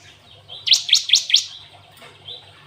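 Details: Glatik watu, the cinereous tit, in canary-style song: a soft thin note, then one quick run of four loud, sharp, high notes, followed by a faint trailing whistle.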